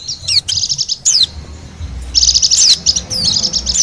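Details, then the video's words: Wild Bali white-eye song for luring birds: rapid high chirping runs and sharp downward whistle sweeps, two dense bursts separated by a short lull, over a faint low hum. "suara pikat dan pancingan bunyi burung pleci bali liar"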